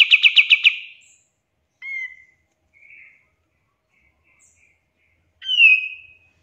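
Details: Pied triller in a tutor recording for songbirds: a short burst of six rapid notes, a few soft scattered chips, then a loud clear falling whistle.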